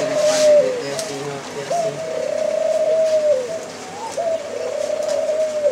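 Low, soft cooing from a white dove, drawn-out hollow notes rising and falling in long rolling phrases, with faint background noise.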